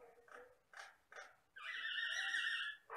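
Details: Jalak Batam myna in strong song: a few short rough chucks, then a long, steady, ringing whistled note held for over a second, followed by a harsh closing note.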